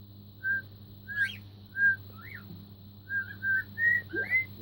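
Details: Four-month-old pet cockatiel practicing Queen's Another One Bites the Dust, whistling short clear notes one after another, a few rising slides, ending in a quick run of repeated whistles over a steady low room hum.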